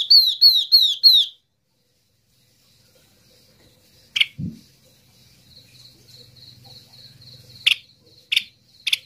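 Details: Lure call of a yellow-eyed babbler for calling the flock: a quick run of four high, downslurred whistles, then near silence broken by a few isolated sharp clicks and a soft low murmur.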